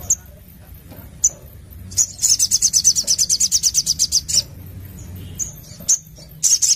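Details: Sogon sunbird singing energetically: a long, fast, high-pitched trill of about two seconds, made of evenly repeated sharp notes. Isolated thin chips come before and after it.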